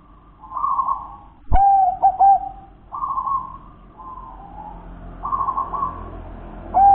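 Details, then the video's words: Local wild zebra dove repeating its cooing song: sharp clipped staccato notes alternating with longer purring trills, several phrases in succession, one sudden click and a low background rumble. "Suara burung perkutut"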